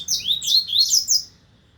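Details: Short phrase from a double-collared seedeater, 2025 season: four or five quick, rising, slurred whistles run together into a bright, warbling line that stops abruptly.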